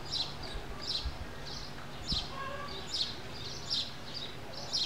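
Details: Common waxbill, known locally as biquinho, giving a steady series of short high chirps about every half second, over low rumbling background noise.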